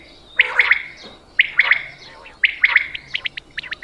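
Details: Hunting call of quail from Punjab: a crisp three-note chirp repeated roughly once a second, three times, then a quicker string of short clipped notes.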